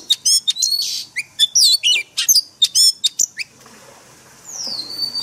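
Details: Oriental magpie-robin with forest-voice singing for caged-bird training; quick series of sharp whistled and trilled notes for about three seconds, then quiet, ending in a long falling then level whistle.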